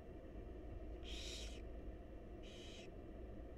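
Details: Barn owl chicks in a wild nest box begging as their mother feeds them; two long, harsh hissing screeches about a second and a half apart over a persistent low rumble.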